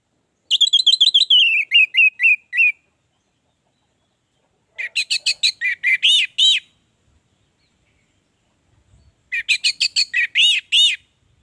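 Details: Caged orange-headed thrush used as a song lure: three separate phrases of rapid, clipped, whistled notes, the first descending in steps, the others rising and falling, with silent gaps between.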